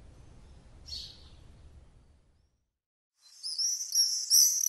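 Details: Common house martin song: a single short chirp, then a pause of near silence, then a loud burst of rapid high twittering and buzzy chatter.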